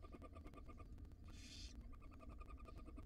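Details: At a wild barn owl nest box, a female feeds her tiny young; one harsh, airy hiss of about half a second stands out against a low room-like hum and faint clicks.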